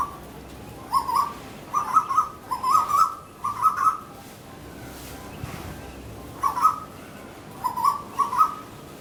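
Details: Female Asian koels in a garden, fighting, with calls used as communication: series of short, loud, clipped bubbling notes, given in groups of two to four, a pause, then another burst of similar notes.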